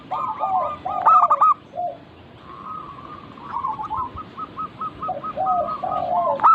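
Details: Local zebra dove song meant to prompt other doves to sing: a loud cluster of quick, rolling coos near the start, then softer stuttering coo trills from other doves in the background, and a final loud note.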